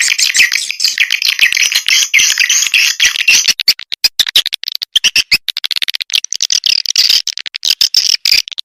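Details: Swiftlet lure call in the SP. Âm Ngoài Vĩnh Châu style, used to attract swiftlets. Dense, high, buzzy chirping trills are overlaid with rapid dry clicking pulses that grow choppier midway.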